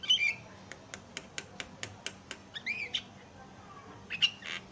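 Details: Javan myna (Acridotheres javanicus) song used as a lure to make other mynas sing: harsh squawks, then a quick run of dry ticking clicks about five a second, and more raspy squawks with a brief whistle.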